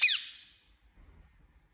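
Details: Pet Indian ringneck parakeet giving a single loud harsh squawk that fades quickly, followed by faint low background rumble.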